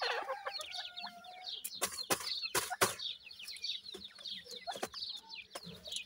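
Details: Reared francolin chicks, dakhni and desi teetar, peeping while they feed: many shrill descending cheeps overlap, cut by loud sharp knocks like pecking on a hard surface.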